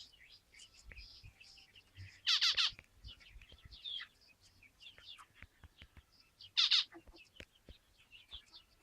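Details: Zebra finches chattering with many soft high chirps. Two loud, harsh, stacked nasal bursts stand out, one early and one late, over quiet background.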